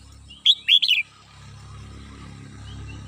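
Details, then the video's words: Caged red-whiskered bulbul at home singing in the morning: a short phrase of four chirpy whistled notes, the last ones warbling and falling, over a steady low hum. "CHim Chào Mào Mơ nhà mình hót buổi sáng"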